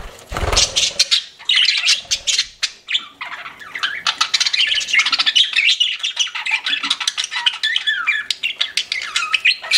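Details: Pet budgerigars giving a string of sharp clicks and chirps, then rambling warbled chatter with short squeaky notes, plus a low thump near the start.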